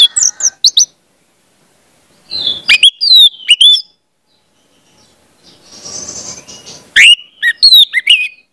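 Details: Orange-headed thrush song for training young birds: short bursts of sweeping whistles and chirps separated by silent gaps, with a faint hissy noise in the middle.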